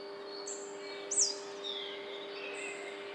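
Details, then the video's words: A Blue-capped rock thrush in a busy residential neighbourhood of Bangalore (Koramangala) on 29 October 2020 gives one sharp, high, downslurred call note, with faint thin notes before and after over a steady low electrical hum. "Blue-capped Rock Thrush"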